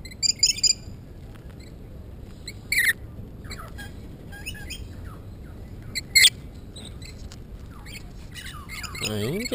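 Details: Very tame Rainbow Lorikeets on the New South Wales South Coast, Australia, caught with a GoPro mini camera: loud, harsh, screechy squawks at irregular intervals, several seconds apart, with a man's voice in between.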